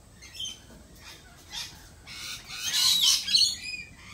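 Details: Lorikeets at a lorikeet cafe give harsh, high squawks and screeches that rise into a loud, dense burst of overlapping calls toward the end.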